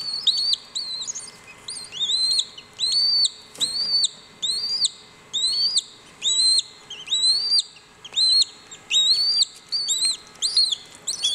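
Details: A clutch of Cuban whistling duck chicks hatching at WWT Slimbridge, calling to unify hatching time and encourage each other; high whistled peeps, each rising then flattening, repeated in a steady run of about a dozen bursts, a faint steady hum beneath.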